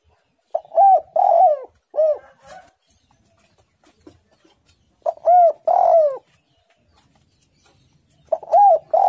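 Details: A spotted dove repeats its three-note cooing phrase three times in quiet surroundings, roughly every three to four seconds. Each phrase has a rolling middle coo and an arched ending. The bird is said to sing eagerly with a pressing, tight voice.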